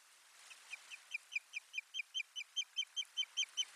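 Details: Osprey at the nest with soft nest material, 1 May 2020, live stream: a fast, even series of piercing whistled kyew notes, about three per second, starting soft and swelling louder.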